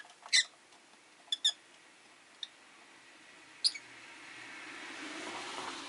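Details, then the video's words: Caged Rosy-faced lovebirds, five birds by a window, give loud high chirps and a quick double note. Street traffic noise builds toward the end. "Lovebird Chirping Sounds"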